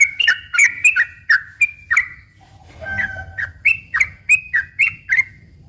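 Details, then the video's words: Sooty-headed bulbul, prolific rolling song used as a lure for other bulbuls; bubbling whistled notes, a short gap with a low rumbling noise midway, then the whistles resume. "kicau suara trucukan gacor ropel pelan dan ropel panjang ini cocok tuk memancing trucuk bahan ombyok"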